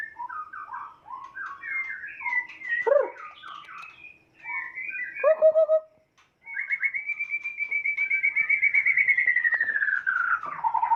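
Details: White-rumped shama from Sumatra, a Kota Agung x Medan Balak (Nias) cross. A varied run of rich whistled phrases, some quick and chattering. After a brief pause comes a long, evenly pulsed whistled trill that slowly slides downward.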